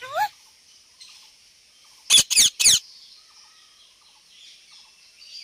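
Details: Parrot making sounds: a short rising whistle at the start, then three loud, harsh, rasping squawks in quick succession, followed by quiet background.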